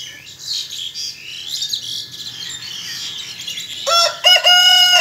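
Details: Soft chirping and clucking build to a sudden loud rooster crow near the end, harsh and strongly layered.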